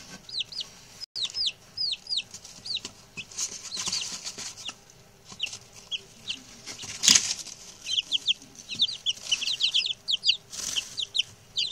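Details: Talkative group of six newly arrived male chicks: continuous high, downward-curving peeps from several birds, a brief gap near one second, and a burst of flapping or scuffling around seven seconds.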